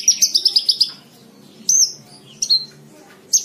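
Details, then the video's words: Javan bush lark, a cage-bird song for tutoring other birds: a quick run of six sharp high chirps, then isolated bright slurred whistles separated by short pauses. "MASTERAN BRANJANGAN SATU JAM FULL"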